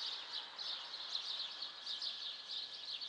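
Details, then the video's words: Birds singing together in the city on the morning of 14 April near 7:15, rapid high chirps and twitters pulsing in quick clusters across the whole stretch. "Le chant des oiseaux"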